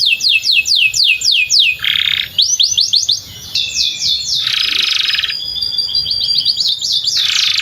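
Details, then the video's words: Canary singing near a field, a model for young canaries learning song; rapid falling whistled notes alternate with long harsh buzzy bursts, over a soft noisy background hiss. "kenari gacor panjang samping ladang , TERAPI AMPUH Kenari MACET, Pancingan Kenari Paud Belajar Bunyi"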